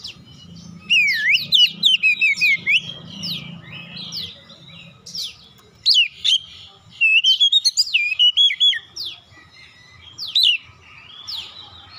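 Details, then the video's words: Lure song of a magpie-robin to provoke other birds into song: rapid chattering whistles in bursts with pauses, bright zigzag notes and low rumbling background. "KACER LAIN LANGSUNG RESPON GACOR SEKALI PANCING"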